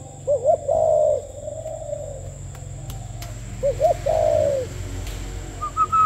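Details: Two full gù tít phrases from a spotted dove, each a quick double upswept note and a long falling coo about three seconds apart; a faint higher whistle from another bird near the end.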